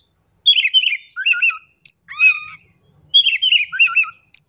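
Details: Oriental magpie-robin singing, used to prompt a quiet bird to start singing: varied, chattering phrases mixing sweet whistles, harsher twitters and short sharp notes, with brief pauses between phrases and no other sounds.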